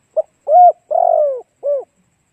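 A spotted dove gives four low, hollow coos: a short note, two longer rolling ones, then a falling final coo. Nothing else is heard.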